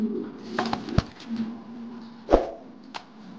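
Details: Male king pigeon of the Modena type, described as angry, gives a low droning coo beneath sharp clicks and taps, indoors on a pigeon farm.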